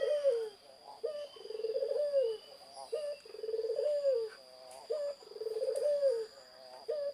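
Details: Repeated zebra dove song, short sharp notes alternating with trilled, arching coos roughly twice a second cycle, faint higher chirps from other birds and a steady electrical whine in the background.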